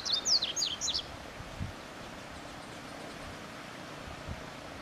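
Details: Yellow-bellied seedeater in the wild gives a short burst of thin, high, rapidly slurred whistles lasting about a second, then falls silent, leaving only soft outdoor background noise.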